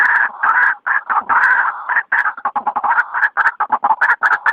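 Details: White-breasted waterhen heard at night in a luring recording. A dense, noisy tangle of harsh, gulping croaks and grating notes, some drawn out and some clipped, pours out without pause.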